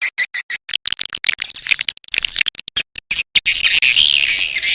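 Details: Edible-nest swiftlet lure call, A Leyung style, for drawing swiftlets in: dense high twittering and raspy chirps tumbling over one another, ending in a continuous buzzy chatter.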